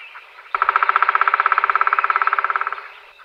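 A woodpecker gives a long, fast rattle of nasal, mid-pitched notes, about a dozen each second for two seconds, easing off at the end. The background is quiet.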